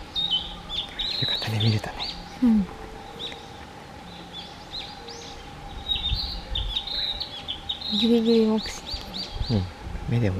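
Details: A Narcissus Flycatcher sings quick, varied high whistled phrases in a dark, foggy forest along a mountain road near Takao in early morning, with people talking quietly and a steady low hum behind.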